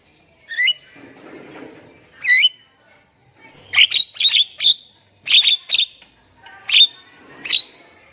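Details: Javan myna lure song for silent birds: two rising wavy whistles, then a quick cluster of harsh, clipped squeaky notes and sharp chips in close succession.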